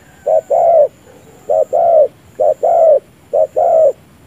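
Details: Spotted dove decoy bird used for trapping, cooing in a repeated two-part phrase: a short low coo followed by a longer, slightly rising coo, given four times roughly a second apart, with a faint steady high tone in the background.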